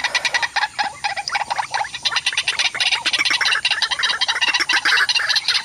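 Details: White-breasted waterhens at a mirror trap, one intruding to chase the bird facing the mirror: a dense run of harsh, croaking notes, repeated rapidly and overlapping throughout, loud and broad-toned.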